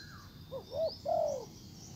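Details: Spotted dove acting as a decoy, cooing to attract a wild bird back, though the wild one ignores it; a brief low phrase of two quick hooked notes and a longer falling coo over quiet background.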